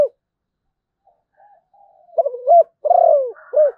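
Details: After near silence and a faint murmur, a Malaysian zebra dove bursts into a quick run of clipped coos, then a long falling coo and a final short note.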